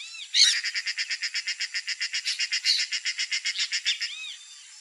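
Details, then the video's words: Female snail kite (Rostrhamus sociabilis), apparently in the Pantanal, gives a dry, rapid chattering rattle of about thirty harsh, evenly spaced notes over four seconds, with a soft background hiss. "CANTO do GAVIÃO-CARAMUJEIRO fêmea (ROSTRHAMUS SOCIABILIS), SNAIL KITE"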